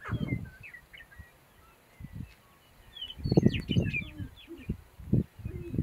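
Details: Sharp-tailed grouse at a lek give scattered high clucks and chirps over bursts of low thumping and rumbling, with a busy cluster of calls near the middle.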